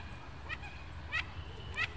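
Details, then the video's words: Mandarin ducks chattering among themselves in Royal Łazienki Park, Warsaw, Poland, seemingly sensing spring; the free-living park population descends from escaped ornamental birds. Three short, thin, rising whistles spaced over low, steady rumbling background noise. "Kaczka mandarynka - głosy"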